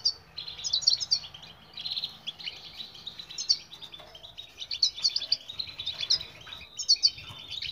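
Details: European goldfinch song used as a training recording to make silent birds sing: rapid twittering, tinkling phrases with buzzy trills, in bursts through the recording, with a faint low hum beneath.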